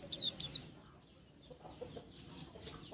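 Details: Quieter passage of a champion Oriental white-eye, known as pleci, jetboy style: short bursts of high, thin descending chirps separated by brief pauses.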